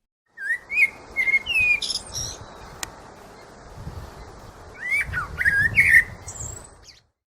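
Two blackbird song phrases: mellow, fluting warbles that end in high, squeaky twittering flourishes. A soft low rumble runs underneath.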